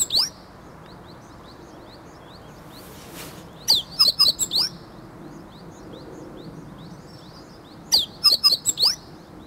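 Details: Meadow bunting learning its song, shifting from calls to full song, recorded 8 March 2011 nearby and calm; two bursts of four or five rapid, high, clipped down-slurred notes about four seconds apart, soft chirps between.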